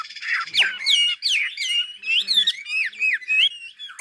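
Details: Chinese hwamei from Ha Giang, Vietnam, singing a rich run of loud, clear whistled phrases that swoop up and down, with rapid slurred notes repeated in quick bursts.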